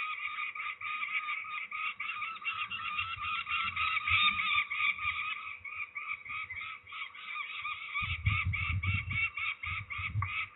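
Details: Peregrine falcons handled for ringing at Trzebież, Poland, 13 May 2019, keep up a rapid, hoarse chatter of clipped notes, roughly three per second, with bursts of heavy rustling and bumping toward the end.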